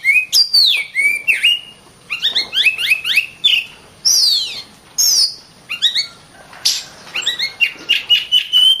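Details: Oriental magpie-robin, caged contest bird, singing energetic mixed song: swooping whistles, clusters of rising chirps, buzzy harsh notes and a held level whistle at the end.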